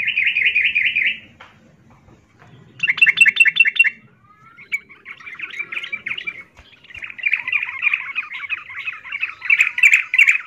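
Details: Female yellow-vented bulbul calling to a male, in breeding condition, giving bursts of bubbly, chattering notes in a steady mid-high band, with gaps between phrases and a longer run near the end.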